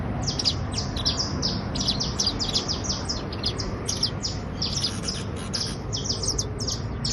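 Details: Trilling criollo basto canary: dense, rapid strings of piercing high notes, many short sweeps packed closely together and rolling on without pause across the whole stretch, with faint low background noise.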